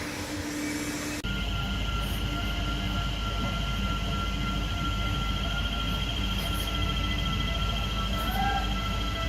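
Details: Steady rumble of a moving train with high squealing tones and no animal calls.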